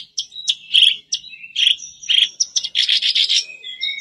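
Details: Black-browed reed warbler song for provoking a caged bird to sing: separate scratchy notes and thin whistles build into a rapid grating chatter near the end.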